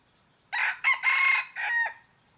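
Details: One full crow from a red junglefowl used as a trapping decoy, harsh and rasping, split into four segments with the third held longest, lasting roughly 1.4 seconds in near silence.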